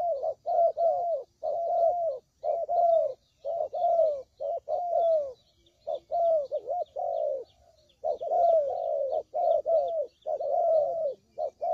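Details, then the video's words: Spotted dove cooing as bait for bird trapping: clustered bursts of low, hollow coos with downward-curving notes, groups separated by brief silences, faint high chirps running throughout. "Suara Pikat Burung Tekukur Paling JITU"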